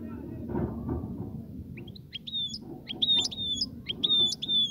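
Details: European goldfinch song meant to stimulate the female to mate and nest: bright, high twittering phrases of quick slurred whistles, repeated about once a second, growing louder toward the end, with a low background rumble.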